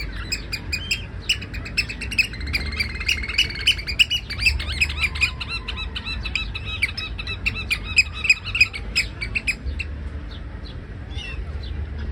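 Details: Eurasian oystercatcher in a city giving loud, shrill piping: fast repeated whistled notes running together in excited bursts, over a low hum of city traffic.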